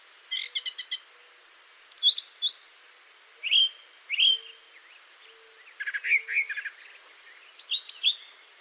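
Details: Brown Thrasher singing a long varied song without repeating itself, a species said to have the largest vocabulary, up to about 2,500 phrases; paired and grouped notes, some buzzy, some slurred and whistled, with a steady high insect drone behind.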